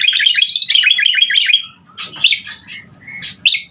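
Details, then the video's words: Asian pied starling in active song, played to tutor other songbirds: a fast series of rising whistled notes, then sharp harsh squawks with short gaps between them. "Suara Jalak Suren Gacor Sangat Ampuh Buat Masteran Burung kicau Laen Nya"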